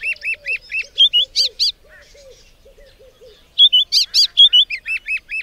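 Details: Song of a white-browed scrub robin: clear, bright whistled notes in quick, strident series that pause and resume, alternating with a steady run of low, soft repeated notes in the gap.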